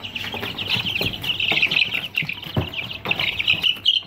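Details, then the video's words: Aseel chicks in a brooder, peeping loudly and almost continuously in shrill, high cheeps, with soft scratching taps underneath. "Aseel Chicks In Brooder"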